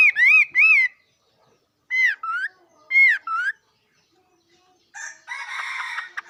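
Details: Bird giving arched whistles, then two rising-falling note pairs, followed by a burst of harsh, noisy chatter near the end.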